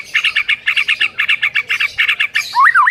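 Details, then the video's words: White-rumped shama lure for morning training of a mute bird: a fast steady chatter of harsh repeated notes ending in a loud wavering whistle. "PANCINGAN PAGI HARI UNTUK MELATIH MURAI BATU BISU AGAR CEPAT GACOR"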